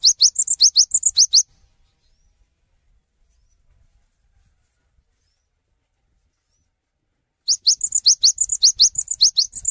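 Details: Cinereous tit inviting others to sing: two bouts of rapid high chirps and whistled slurs separated by about six seconds of silence.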